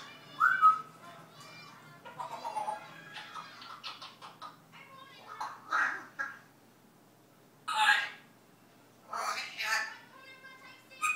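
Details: Pet parrot learning to talk Dutch, also barking and whistling: a string of harsh, nasal, quack-like squawks and speech-like bursts with short gaps, ending in a few louder, higher syllables, indoors.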